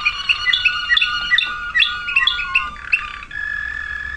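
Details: Waterslager canary, 2009 recording: quick bright chirping notes in a bouncing, bubbling sequence, then an even sustained whistled tone closing the phrase.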